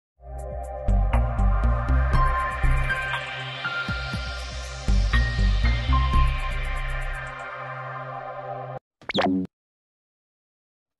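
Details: Electronic music with steady low bass beats and bright plucked tones, ending in a brief burst of noise; no animal voice is heard.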